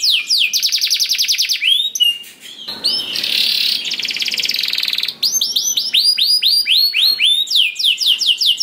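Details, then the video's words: Canary singing as a lure for other canaries: rapid rattling trills, a noisy buzzy section, then clear swooping whistled notes repeated in quick succession. "Kenari Gacor Ngedur Ampuh Bikin Kenari Mana Saja Ikut Bunyi Gacor Ngerol"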